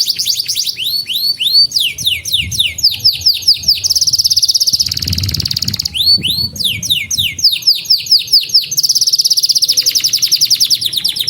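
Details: Canary song for training young birds: long sequences of high down-slurred whistles alternating with fast buzzy trills, repeated in bursts with short low-pitched gaps.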